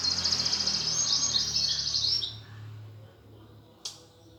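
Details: Greater green leafbird giving a high, fast trilled warble in the gereja tarung fighting style used to provoke contest birds. The trill fades after two seconds, with low background hum and a single click.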